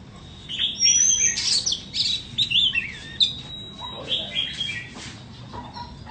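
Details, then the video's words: Chích chòe than bông, or white-rumped shama, singing a series of short whistled phrases and a long steady high note, then quieter scattered chirps over a faint background hiss. "Chích choè than bông"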